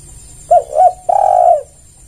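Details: Single spotted dove phrase played to lure other doves: two short rounded coos, a brief pause, then one long steady coo fading away.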